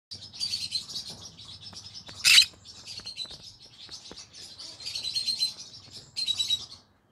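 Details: Green-cheeked conure singing in the evening: a steady run of high, buzzy chattering notes, broken by a sudden harsh screech near the middle and another loud burst close to the end.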